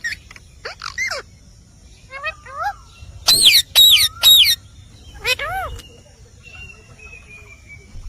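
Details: Indian parrot (rose-ringed parakeet) vocalising: short, sharply rising and falling whistled notes, then a burst of loud harsh screeches around the middle, with a faint drawn-out falling whistle near the end.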